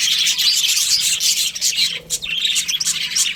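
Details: Breeding-season budgie colony giving a thick stream of high, twittering chirps and scratchy notes, the chatter dipping briefly midway before resuming at full density.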